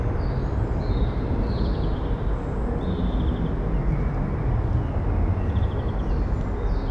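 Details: Steady low rumble of wind or distant traffic with no animal sound.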